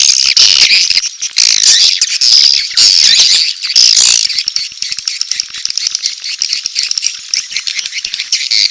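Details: Edible-nest swiftlet mating calls mixed with chick calls for a swiftlet house: dense, high, rattling chirps for about four seconds, then thinner, scattered twitters and clicks.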